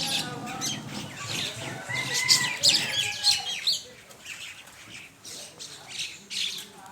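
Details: Mynas feed as a flock on a Bangladesh morning with a steady run of scratchy chirps and short squeaks. A brief clear whistled note comes mid-way, and the calling thins out toward the end.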